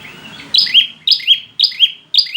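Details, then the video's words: Prinia call used to stimulate reluctant, stressed birds to sing: sharp two-part chirps, a high note dropping to a lower buzzy one, repeated about every half second after a quiet start. "pancingan prenjak malas bunyi, macet/stres dijamin nyauut"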